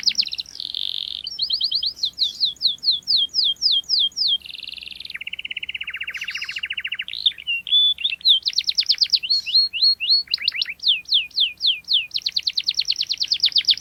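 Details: Canary singing its sharp 'cuit cuit' rolling song for young birds learning to sing. Fast trills alternate with buzzy blocks and a lower rattling passage, constantly switching pitch and tempo over a long, varied phrase.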